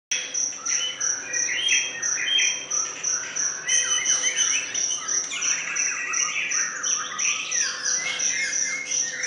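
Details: White-rumped shama (murai batu), played as a lure to get caged birds singing: dense, varied high chirps and short slurred phrases over a constant shrill insect-like buzz throughout.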